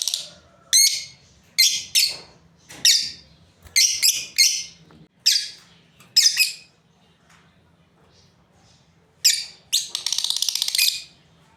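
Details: Breeding pair of lovebirds calling with a run of piercing, raspy chirps roughly once a second, a quiet gap, then a fast buzzy chattering burst near the end; low hum throughout.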